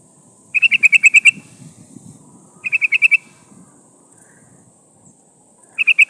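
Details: Decoy call of a female sooty-headed bulbul summoning a male, used to catch wild birds: repeated bursts of six to eight fast, sharp notes, separated by pauses of about one to two seconds.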